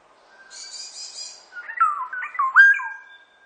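A Black-naped Oriole gives a faint, thin, buzzy note, then a phrase of rich fluty whistles that slur up and down, peaking with a loud liquid note near the end.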